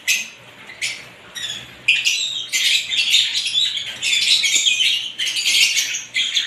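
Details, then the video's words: Mixed lovebirds of various types keep up a busy, piercing twitter. A few short early notes give way after two seconds to an almost continuous wall of harsh overlapping chirps. "ibat ibang klasing uri ng love birds sarap nilang pakinggan habang na humuhuni"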